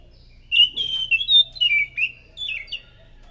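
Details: Thrush (anis macan) lure song, loud: a continuous tumbling phrase of clear whistles with slurred rising and falling notes, ending in a few short separate chirps.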